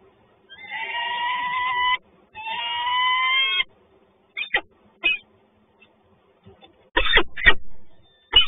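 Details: Pair of peregrine falcons at the nest in Toruń, Poland, on 11 June 2019: two drawn-out, harmonic, wailing calls of about two seconds each, then clipped short notes and a few abrupt harsh bursts.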